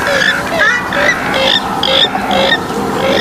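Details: Swamphen calls in a short burst of nasal squawks and clucks, about two per second, rough and overlapping, with a steady low hum behind.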